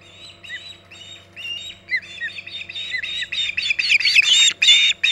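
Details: Osprey at the Hog Island nest, 14 August 2019, around 11:45 am EDT, during extended time on the nest: scattered squawky chirps build into louder, denser rising and falling whistled calls toward the end, over a faint steady electrical hum.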